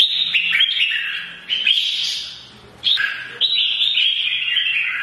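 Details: Mature wild-caught red-whiskered bulbul giving a morning fighting song meant to stir other birds; bright warbled phrases with quick rising and falling notes, broken by two brief pauses, low hum in background.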